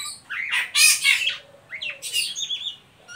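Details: Oriental magpie-robin giving the ngeriwik call, used as a lure to stimulate young birds to sing: two bursts of harsh, raspy, buzzy chattering notes mixed with short chirps, separated by a brief pause, over a faint steady low hum.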